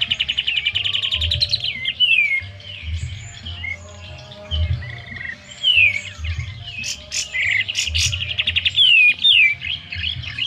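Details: Sooty-headed bulbul kept at home as a lure bird, singing actively before fanning its tail: fast rattling trills alternating with short rising and falling whistled slurs, over a repeating low-pitched background thumping like music.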